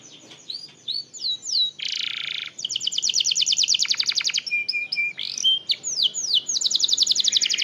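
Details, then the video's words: Canary song played to draw out singing in other canaries: short whistled slurs, a harsh broad buzz, long rapid trills, steady whistled notes and more falling sweeps. "Pancingan Kenari / Masteran Kenari / Dijamin Langsung Bunyi"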